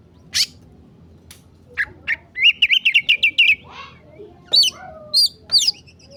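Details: Agitated emosi song from an oriental magpie-robin, masteran recording: a few isolated sharp notes, then a quick rhythmic run of about eight whistled chirps, ending with high sweeping slurs.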